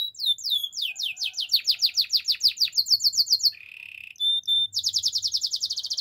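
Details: Canary training song, clean and loud: fast repeated downslurred whistles for three seconds, a brief low buzzy roll, then a rapid high trill of chirps.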